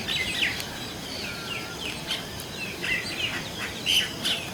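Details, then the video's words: Indian common mynas calling in varied voices: a series of short whistled and chattering notes around mid-high pitch, some sharp and squeaky, over a steady hiss of background noise. "Indian Common Myna Birds Calling Sound"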